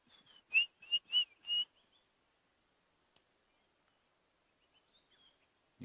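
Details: At sunrise on a bush walk, near nervous kudu, a white-browed scrub robin starts singing in the background: a quick run of four clear, high whistled notes, then fainter whistles trailing off.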